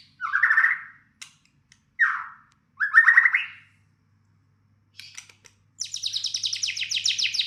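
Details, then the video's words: White-rumped shama singing in answer to a lure recording: three rich, rising slurred whistled phrases with pauses between, then a fast, buzzy, scratchy trill of rapidly repeated high notes. "pancingan murai batu macet bunyi langsung ikut nyaut bunyi"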